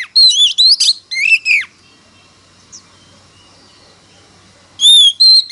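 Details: Lure Oriental magpie-robin singing in competition: a few loud slurred whistles and a falling trill, three seconds of quiet, then bright high whistled notes start again.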